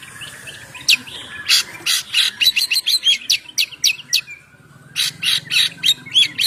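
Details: Kacer, the oriental magpie-robin, singing ngeplong style to lure birds: fast series of sharp buzzy clicks and chips with brief whistled notes, quick bursts separated by a short pause.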